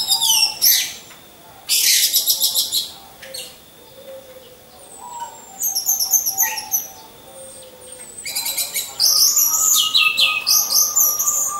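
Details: Caged orange-headed thrushes hung side by side for training, used as a lure to spur other birds to sing. Loud bursts of high, rapid, varied warbling alternate with quieter gaps and softer whistled notes, with overlapping phrases.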